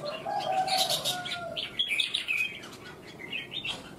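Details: Red-whiskered bulbul from Vietnam, a competition singer, giving quick warbled phrases in short bursts over a lower steady tone from another source, with a faint hum underneath.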